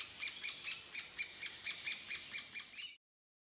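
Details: Woodpecker giving a series of about eleven harsh, high, squawking notes at a steady pace of roughly four per second, fading slightly toward the end before stopping abruptly.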